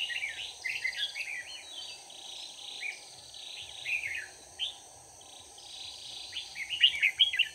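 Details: Red-whiskered bulbul singing as a trap decoy for wild bulbuls, 4 March 2019: a long run of rapid, twittering, slurred notes repeated in quick groups, with a louder burst near the end over a constant shrill hiss.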